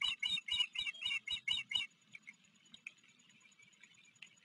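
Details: Osprey calling from a Maryland river nest on Blackwater River, afternoon of July 28, 2022, with a visiting fledgling from another nest present. Seven loud, clipped whistled chirps come in quick succession, then near quiet.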